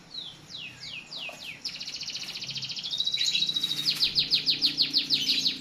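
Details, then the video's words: White-rumped shama, played to get caged shamas singing fast: a string of falling whistled slurs, then a long buzzy trill and a steady run of clipped high notes repeated roughly three times a second. "PANCINGAN MURAI BATU AGAR CEPAT BUNYI"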